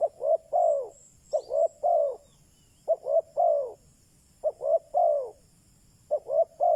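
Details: Spotted dove used as a decoy to lure wild doves: repeated three-note cooing phrases, two short hoots then a longer falling coo, each phrase about every one and a half seconds, with faint high insect or bird chirps behind.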